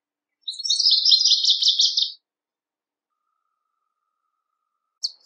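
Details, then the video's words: Northern Waterthrush (Parkesia noveboracensis) singing in nature: a loud, rapid run of sharp, ringing high notes lasting under two seconds, then quiet before the next song. "Birds Singing - Northern Waterthrush"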